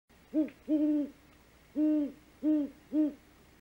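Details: Female great horned owl at her nest on a live nest cam at 5:41 am on 3 March 2018, giving the food call while watching the male hunt: five deep, even hoots, one short, the rest drawn out, spaced irregularly.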